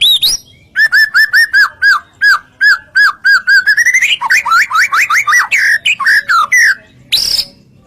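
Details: White-rumped shama (murai batu) song played as a lure to make other shamas answer: a run of clear, repeated down-slurred whistles, then faster, varied rising and falling whistled phrases, ending in a brief harsh burst.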